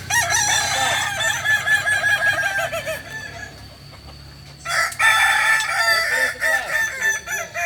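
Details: Balenggek roosters training at Ampang Kualo, Solok, crow in rapid, wavering, stepped notes from several birds, fall almost silent for over a second, then resume together loudly, over a faint low hum.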